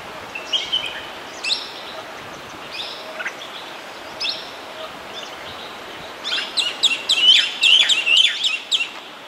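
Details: Red-whiskered bulbul (Pycnonotus jocosus) at Yercaud hill station in fog: short, bright chirping notes, scattered at first, then a quick cluster of lively, bubbly phrases, over soft outdoor hiss.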